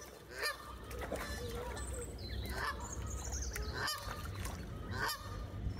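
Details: Canada geese, a flock recorded on 14 May 2023; several honks spaced about a second apart, plus higher thin whistled notes, over constant low background rumble.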